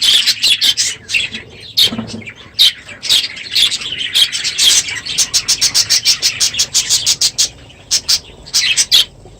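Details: Morning chorus of many budgerigars in an aviary at the close of the breeding season; sharp high chirps and squawks, thick at first, then a run of separate evenly spaced chirps toward the end.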